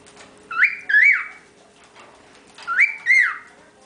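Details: Pet cockatiel, the youngest in a group of ten, whistling: two clear two-part whistles, each note swooping up then sliding down, separated by a short pause over a faint constant hum.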